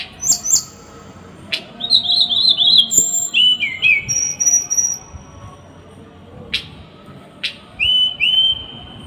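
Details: Small bird, masteran 'tembakan' bursts: quick high chips, rapid trilled whistles, level whistled notes, and sharp clicks scattered through, with several pauses and a final pair of rising whistles.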